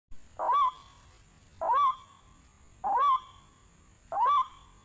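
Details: White-breasted waterhen calls from an MP3 played as a bird-trapping lure: four loud, nasal, rising-then-falling notes, each about half a second, repeated steadily every 1.25 seconds over a quiet background with a faint steady hiss.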